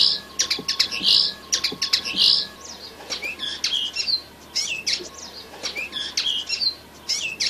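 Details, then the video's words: A young red siskin sings a high, rambling twitter of quick chirps and short buzzy trills, with a faint steady hum underneath. "تغريد فرخ طائر النينو الكماتشو"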